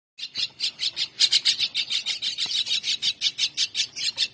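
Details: Mynah chicks at feeding time begging hungrily: a steady run of rapid, harsh, high chirps, about four per second, rising and falling in loudness without a pause.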